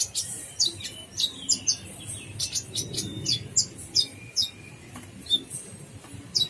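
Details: Lively 'gacor full isian' song of the brown-throated sunbird, or kolibri ninja: sparkling high ticks and sharp chips, some paired, scattered over a steady faint hiss and low-frequency murmur.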